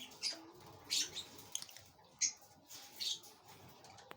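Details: Parblue Opaline Pale Fallow rosy-faced lovebird chick taking food inside a flight cage, giving about five brief, thin, high-pitched scratchy chirps at irregular intervals, with low background noise.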